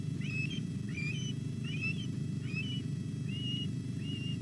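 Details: Morning feeding at a Welsh osprey nest on 27 July, with three chicks present: a series of six soft, drawn-out whistled calls, gently rising then falling, spaced under a second apart, partly masked by low rumbling noise.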